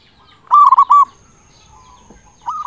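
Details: Loud local zebra dove singing as a lure for other zebra doves; one strong rolling phrase of four quick hooked coos, then quiet and a softer start of the next phrase.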